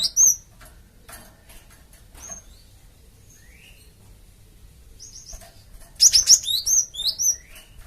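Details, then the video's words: Java sparrow used as a lure so a flock answers straight away: scattered single high chirps, then a dense run of rapid sharp notes and slurred whistles near the end. "BURUNG GELATIK OMBYOKAN PUN LANGSUNG NYAUT DENGAR INI PANCINGAN BURUNG GELATIK BAHAN"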